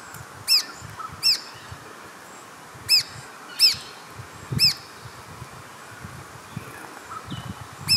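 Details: Red-browed finch recorded at Carnarvon Gorge, Queensland, Australia, on 20 July 2019 at 18:00 with a Panasonic Lumix GH5 camera; six sharp, thin, high-pitched call notes, loud and irregularly spaced over about eight seconds, with faint background hiss.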